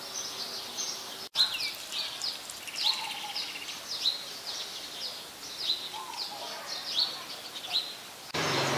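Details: House sparrows, very common residents of Ubon Ratchathani, Thailand, chirping on 5 February 2020: many high, downslurred chirps tumble together, broken by a short dropout early on and ending in a burst of broad noise.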